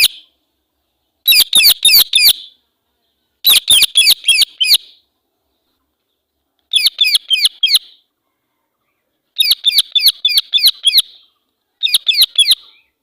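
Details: A female Indian ringneck parakeet calling angrily, loud strident screeches delivered in rapid runs of four to six notes, five runs spaced a couple of seconds apart, with nothing else audible.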